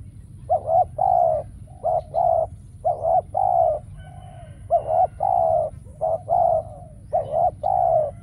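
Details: Spotted dove kept as a trapping decoy, calling steadily; a run of about six cooing phrases, each a short broken coo then a longer mellow one, given almost back to back, with faint twittering of other birds behind.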